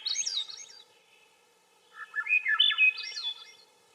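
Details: Swainson's thrush singing two fluty, whistled phrases that spiral upward in pitch, the second longer and rising to a high finish, separated by a short pause over a quiet background.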